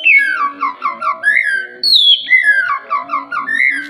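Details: Oriental magpie-robin song used to draw other birds into singing, made of lively warbled phrases of short bouncing notes, with a clear high whistle sliding downward midway.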